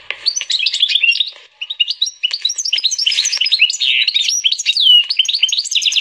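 A canary-goldfinch hybrid sings a fast, continuous jumble of bright twittering notes, trills and rising whistles, high-pitched and without pause.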